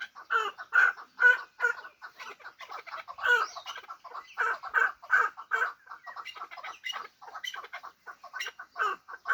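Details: Fighting hybrid partridge calling in a long rhythmic chant of harsh chuck notes, bursts of strong clucks alternating with quicker, fainter stuttering notes, steady pace of roughly two to three per second throughout.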